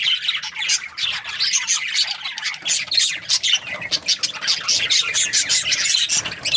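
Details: Budgerigars, described as happy, chirping: a dense continuous chatter of many overlapping squeaky chirps and warbles, busy and rapid throughout.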